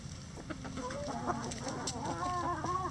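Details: Rooster crowing in a sunny backyard coop housing a mixed flock of egg-laying breeds, bantams and barnyard mixes; drawn-out, wavering, rising calls come twice, the second longer, over soft overlapping clucks from other chickens.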